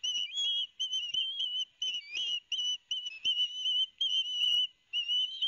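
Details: At a nest in Barnegat Light, New Jersey, in September 2021, young ospreys call loudly while the father brings fish: repeated high whistled notes, some sliding upward, grouped in short irregular bursts with brief gaps.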